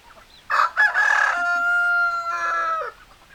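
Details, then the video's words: Rooster crowing: a loud harsh opening burst, then a long sustained harmonic note that holds steady and drops away at the end, about two and a half seconds overall, with faint clucking behind it. "Chicken Sounds Noises Hens Clucking Roosters Crowing"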